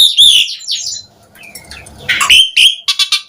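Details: Asian pied starling singing in the gacor full-isian style, meant to provoke other starlings into answering: loud clear whistled notes around mid-high pitch, a brief quiet pause, then harsher rasping bursts and short chattering notes.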